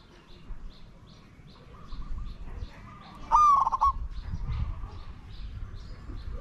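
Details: Spotted dove calling during decoy luring of wild doves: a single brief coo, sharp at the start and then trembling, against faint repeated chirps of other birds and low background rumble.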